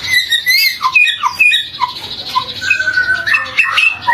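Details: White-rumped shama lure song for morning and afternoon. Busy, jumbled chatter of short high whistles and squeaky notes in rapid, uneven bursts with almost no gaps.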